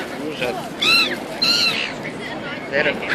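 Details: Gulls calling in Auckland, New Zealand, described as having forgotten about fishing: a few loud, harmonic, downslurred squealing cries in quick succession over a steady background hiss.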